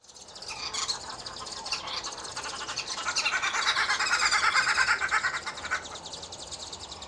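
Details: Red-billed wood hoopoes feeding their chicks and clowning around; a dense, rapid rattling cackle from several birds, pulsing about three times a second, swelling loudest in the middle and then easing off.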